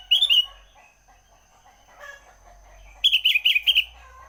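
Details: Early-morning Sooty-headed bulbul: a short bright warbled phrase, a pause, then a longer run of five quick, bouncy, liquid notes, over a low rumble and a faint high tone.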